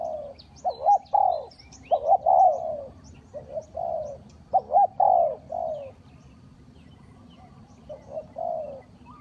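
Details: Spotted dove used as a lure call for trapping wild doves: short hollow cooing phrases, each a quick pair of notes and a longer drawn-out coo, repeated in bursts with brief pauses; faint higher chirps of other birds and low rural background hum.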